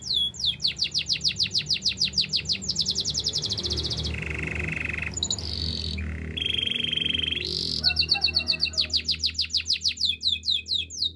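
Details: Canary in song for training, delivering fast repeated downward-slurred whistles, switching to flat buzzy trills, then back to rapid slurred tours, over a steady low background hum.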